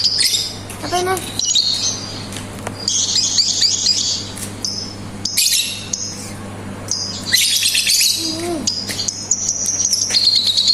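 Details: Lovebird delivering ngetik and ngekek chatter: shrill, buzzy high bursts of rapid ticking separated by short gaps, some squawky notes dropping in pitch, and a constant low hum behind.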